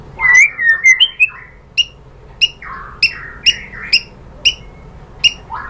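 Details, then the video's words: White-rumped shama lure clip: an opening burst of whistled and buzzy notes followed by sharp clicking notes repeated about every half second, with soft slurred whistles between. "bikin NYAUT ‼️ MURAI BATU jadi EMOSI GACOR BONGKAR ISIAN ¦ PANCINGAN MURAI"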